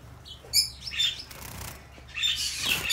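A zebra finch gives short, nasal, high-pitched calls, a few quick notes and a longer buzzy burst near the end, with a soft rustle of wings between.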